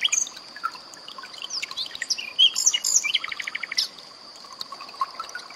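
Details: Common nightingale singing over trickling water as tutoring material for cage birds. The song is a jumble of short whistles and sharp notes, followed by a brief rattling series of repeated notes. A faint steady whine sits behind it.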